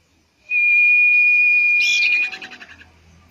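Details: Common iora song played as bait to make a bird sing: a single steady high whistle held for about two seconds, breaking into a rapid buzzy rattle that fades out.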